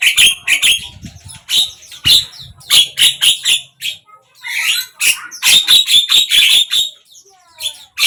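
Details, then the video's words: Javan myna singing across morning, midday and evening: uneven bursts of grating clicks and squawks, a few whistled slurs in the middle, then a rapid run of sharp, squeaky repeated notes. "Jalak kebo ,pagi, siang,sore"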